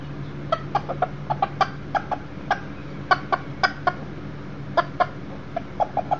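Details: Inside a house on 7/6/13 with a visiting one-year-old Millefleur d'Uccle rooster and a broody hen with chicks: irregular soft clucks scattered through six seconds, some in quick pairs.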